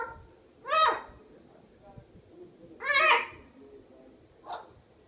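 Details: Miligold macaw, a pet bird, giving two loud raspy squawks about two seconds apart, then a shorter, sharper call, with near silence between them.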